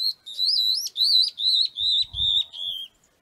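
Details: A Stripe-backed Antbird in caatinga at Sítio Pau Preto, Potengi, Ceará, Brazil, sings about six clear, wavering whistles, roughly three per second, each slightly lower than the last; a faint low thump is heard near the end.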